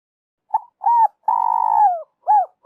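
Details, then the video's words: Full spotted dove phrase meant as a trapping lure. A tiny opening note, a rounded coo, a long purring coo sliding gently down, then one short arched coo. No other sounds. "Tiếng chim cu gáy dành cho ae đi bẫy"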